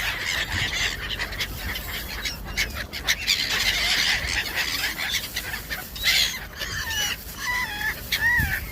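Gulls give a quick run of squealing, down-slurred mewing calls near the end, after several seconds of rough splashing and flapping noise from a feeding flock.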